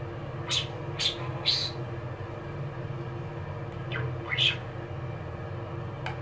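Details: Eight-year-old male budgerigar chattering indoors in a bathroom on the coldest winter day, 16 January 2024, having left the warm living room: a few short, sharp high chirps spaced over several seconds above a steady low hum.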